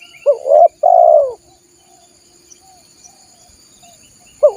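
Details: Lure recording of a spotted dove for wild birds: one phrase of a quick rising note and a long, soft, falling coo, then a pause and the start of the next phrase, with a thin high insect hum.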